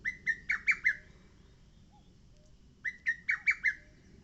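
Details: Loud, close lesser cuckoo song on Mount Oike: two rapid phrases of five punchy, downslurred whistles each, separated by about two seconds of near silence with a faint distant note.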